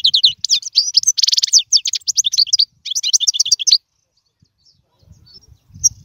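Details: Goldfinch song for teaching chicks: nearly four seconds of dense, rapid twittering with a buzzy, harsh element mid-phrase, then silence with a few soft distant notes and low thumps.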